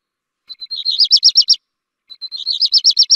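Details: Black redstart song: two phrases, each opening with thin high notes, then a fast run of rolling, trilled notes, the second phrase following after a short pause. No other sounds.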